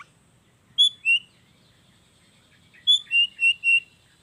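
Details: Long-tailed shrike singing a nature-filled lure song meant to prompt lazy shrikes to call; two thin, clean whistled notes, a silence of about two seconds, then four more high pure whistles close together.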